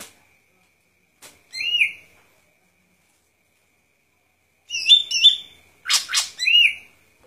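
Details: Golden-fronted leafbird delivering scattered song bursts: a clear slurred whistle, then paired chirpy notes, quick harsh chatters and a final whistled slur, with long quiet gaps between.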